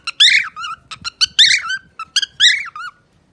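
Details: Singing pet parrot indoors, delivering loud, harmonic whistled phrases broken by short squeaky chirps, each phrase curling up and down in pitch, with faint low rustling beneath.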